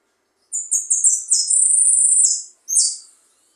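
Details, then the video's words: Jilguero goldfinch phrase: quick descending high chips that merge into a continuous buzzing trill for about a second, ending with one bright detached note; no other sounds audible. "jilguero pipinas meta pito ,sonando"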